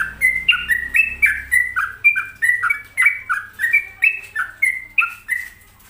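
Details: Sooty-headed bulbul, local name trucuk, kept at home, in lively song: bright whistled notes alternating high and low in a quick, even cadence, roughly three per second, with a low rumble fading out early.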